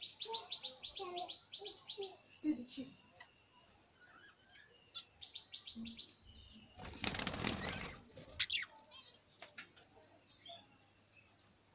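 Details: Budgerigar chattering in rapid, stuttering trills and squeaky notes. A loud burst of flapping wings midway is followed by more sharp chirps and scratchy calls.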